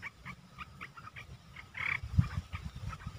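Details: Captive red-eyed bulbul singing, 10 August 2021: short, bubbly notes in a quick uneven series, with a louder chirp near the middle, over a low rumble of background noise.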